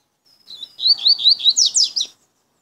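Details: A double-collared seedeater (Sporophila caerulescens) coming out of moult and not yet in full form gives a brief, high song: a thin whistle, then a quick run of slurred looping notes ending in sharp up-and-down sweeps.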